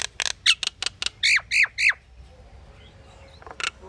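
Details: Pied myna producing assorted calls: quick harsh clicks and rasps, then three loud downward-sweeping whistled notes, a pause and a last scratchy burst.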